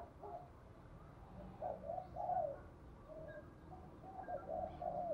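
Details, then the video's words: Spotted dove kept as a decoy for luring wild doves, giving soft rounded coos in short repeated phrases over a steady background hiss, with faint chirps from other birds. "chim cu mồi gáy hay dùng kích bổi rất hiệu quả"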